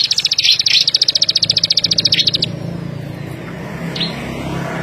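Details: Plain prinia of paddy fields and cane plantations uttering a fast series of sharp clicking notes, roughly four per second, lasting about two and a half seconds before stopping, leaving a low background hum.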